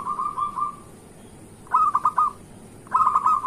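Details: Local zebra dove singing energetically, used in the morning as a lure to get lazy zebra doves singing: three rolling, trilled coo phrases, the first smooth and the next two broken into quick throbbing pulses.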